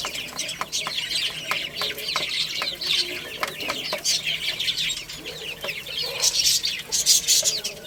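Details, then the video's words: Baby chickens playing and eating, a dense crowd of soft high peeps punctuated by regular sharp tapping sounds, growing louder toward the end. "Cute Little Chicks Chirping Sounds| Baby Chicken Playing and Eating"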